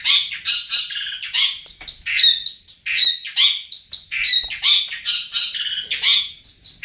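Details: A Long-tailed Shrike (cendet) from Pamekasan, Madura, sings a fast, unbroken run of scratchy chatters, sharp chips and high whistled notes, varied and without pause.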